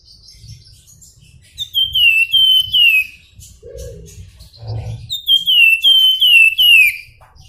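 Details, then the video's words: Javan Fulvetta, known locally as flamboyan and described as a Javan endemic, singing its flute-like "nyuling" song: two bursts of clear, high, downward-slurred whistles in quick series, separated by a pause with faint low rumbling. "Flamboyan Gacor Nyuling"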